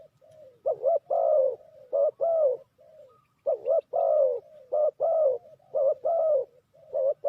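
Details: Spotted dove calling as a decoy for trapping: paired cooing phrases, a short dipping note followed by a longer, slightly falling coo, given in bursts with brief pauses and faint low rumble beneath.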